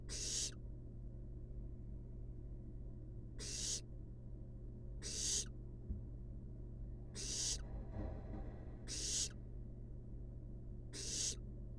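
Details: Wild barn owl nestlings napping in a monitored nest box give harsh, breathy hisses, six bursts at uneven gaps over twelve seconds, over a steady low electrical hum.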